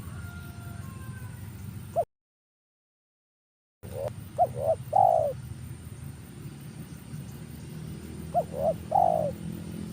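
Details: Spotted dove coo used for luring birds. Two phrases, each made of short soft notes ending in a longer falling coo. There is a brief silent break early on, and a steady low background hum throughout.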